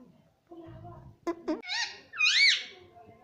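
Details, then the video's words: Indoor pet ring-necked parakeet utters two clipped clicks followed by two drawn-out nasal, arching syllables, over a low background murmur in a small room. "parrot talking everything"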